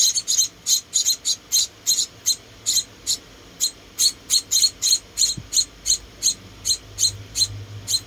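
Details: Rescued munia nestlings being fed, uttering sharp, high, thin chirps in quick bursts with brief pauses, over a faint low hum.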